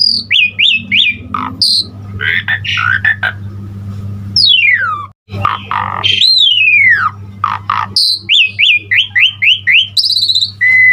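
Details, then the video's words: Energetic Asian pied starling song, full of varied fill phrases, meant to prompt other starlings to sing: quick rising whistled notes repeated in series, harsh chattering, long downward-sliding whistles, then more rapid bright notes; a low steady hum underneath. "Suara Jalak Suren GACOR Full Isian Terbaik Untuk Pancingan Masteran Semua Burung Jalak Cepat GACOR"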